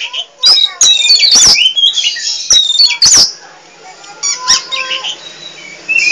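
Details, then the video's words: Vigorous nonstop singing by an Oriental magpie-robin of the pied 'poci' type: loud clustered whistles, harsh scratchy notes and sharp clicks, easing briefly before resuming. "Kicau Burung Kacer Poci Gacor Cerewet Nggak Mau Diam"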